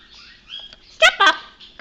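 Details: A male Quaker parrot (monk parakeet) named Charlie, a pet, chatters in short, raspy, speech-like bursts after a thin rising whistle, mimicking phrases such as "step up, good boy", "hello baby" and "bad boys bad boys".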